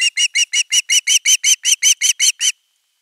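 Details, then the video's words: ;Osprey chick at a nest begging at length for fish: about fourteen sharp, squealing notes repeated steadily, nearly three per second, loud and even throughout. "Myy huutaa pitkään kalaa"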